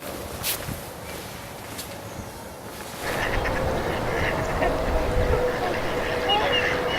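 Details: A couple hundred trumpeter swans wintering on open water of the Mississippi River at Minneapolis, Minnesota, mid-January, about 7:30 am at zero degrees, give a steady chorus of overlapping, nasal, horn-like honks, rising sharply in volume partway through; a man's voice is heard early.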